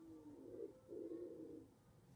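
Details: Wood pigeons nesting in a balcony box: a low, muffled two-part coo, a brief rising note then a longer sustained throaty note, with faint background hum.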